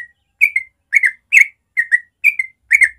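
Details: Natural morning 'ropel' song of a sooty-headed bulbul, meant to teach young birds: short clear whistled couplets, each slurring downward, spaced about half a second apart, with no other sounds.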